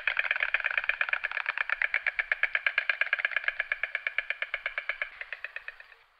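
A white stork clatters its bill in a rapid, dry, wooden rattle for about six seconds, slowing slightly and fading at the end. No other sounds.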